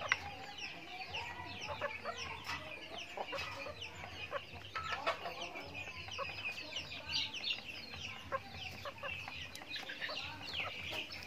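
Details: Chickens eating feed on a backyard farm; eleven seconds of busy, overlapping chirps, clucks and short downward-sliding calls from many birds, with occasional louder pecking or tapping bursts.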